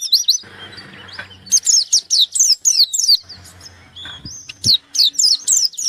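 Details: Gacor white-eye searching for an opponent delivers repeated bursts of bright, high, down-sweeping chirps, broken by short softer gaps with faint low background noise.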